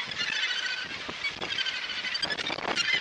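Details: Australasian gannet breeding colony at Muriwai beach, Auckland, New Zealand, in January 2022, heard from the lookout: an uninterrupted wall of harsh, overlapping calls from a large crowd of birds, with a few louder bursts toward the end.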